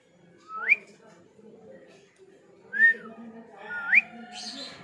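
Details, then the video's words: Pet rose-ringed parakeet, a ring-neck parrot kept at home, giving three clear rising whistles spaced over about four seconds, with a harsher burst at the end and low household murmur beneath. "My Cute Funny Parrot Talking /Cute Ring Neck Parrot Natural sound"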